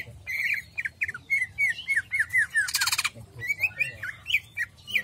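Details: Jamstrok-style song of a greater green leafbird: a steady series of short, clear, downward-slurred whistles, then a brief harsh rasping burst, then more varied whistled notes, over a faint low hum.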